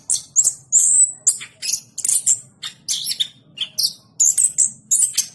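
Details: Anis kembang, the orange-headed thrush, in full voice: a long pure high whistle followed by dense, scratchy and twittering phrases mixed with brief clear whistles, given at a brisk pace.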